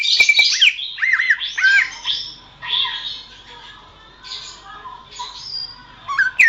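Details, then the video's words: Greater green leafbird singing, recorded as a training track for songbirds: harsh squawky bursts with twisting whistled notes, then quieter scratchy phrases and brief high buzzes, finishing on a sharp upslurred note. "masteran suara burung cucak ijo"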